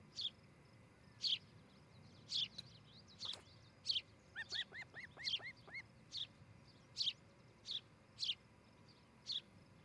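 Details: Osprey at a Charlo, Montana nest on a July morning, captured by a nest cam: high whistled chirps in a steady series, with a brief run of lower, arched, slurred notes in the middle.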